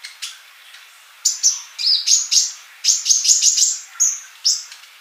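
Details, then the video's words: Singing male sunbird, a tutor song for silent young birds; scattered sharp high chirps building into a quick, ringing series of bright notes, then a few single chirps. "Kolibri Ninja Jantan Gacor buat masteran yang masih bisu"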